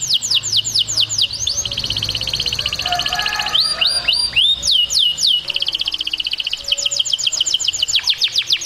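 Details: Canary singing to stimulate mating and train young birds: loud, high, rapid trills of repeated sweeping notes, several each second, shifting into rising whistled slurs midway before returning to fast trilling, with faint low background hum.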